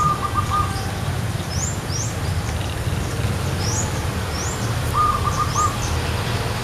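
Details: A zebra dove perched in a tree gives two quick bursts of soft, staccato, mid-pitched cooing notes; other birds add thin, high rising chirps over a steady low rumble of background noise.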